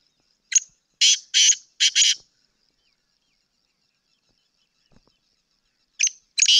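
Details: Black francolin with a grating, rasping phrase of one short note and three broad harsh bursts, then a long quiet gap before the phrase begins again at the end.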